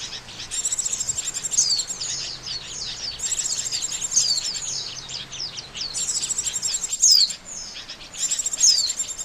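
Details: Oriental white-eye trapping lure: four bursts of rapid high twittering, each ending in a sharp falling whistle, spaced about two and a half seconds apart.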